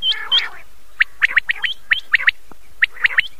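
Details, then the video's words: Common quail heard at night on an old cassette recording; opens with two harsher notes, followed by crisp, quickly repeated chirps in small groups of two or three. "بٹیر رات والی والیم پورانہ کیسٹ"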